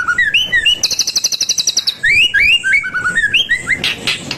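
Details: White-rumped shama singing energetically, a varied run of clear rising and falling whistles, a fast buzzy trill of repeated high notes in the middle, then more quick slurred whistles ending in a harsh burst.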